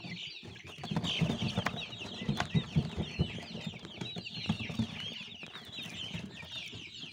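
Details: Many baby chickens cheeping together: a continuous mass of short, high, slightly downslurred peeps over a background of low knocks, rustling and shuffling, growing louder through the middle.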